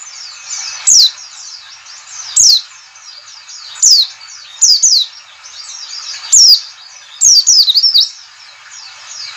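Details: White-eye ngalas call, a lure to make white-eyes open their beaks and sing: loud, high downslurred whistles, some single and some doubled or tripled, repeating every second or two over a busy bed of faint chirps.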